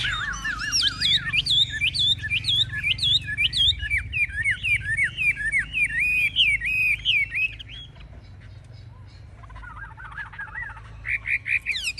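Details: Chinese hwamei displaying in a cage with high wings and fanned tail, said to fight fiercely; a long, fast run of varied whistled notes that rise and fall for about eight seconds, then a pause and a softer restart.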